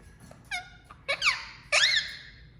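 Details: Pet Indian ringneck parakeet, billed as a talking parrot, gives three short harmonic squeaks: a brief level note, then two louder bending squawks that rise and fall in pitch, over a faint low background hum.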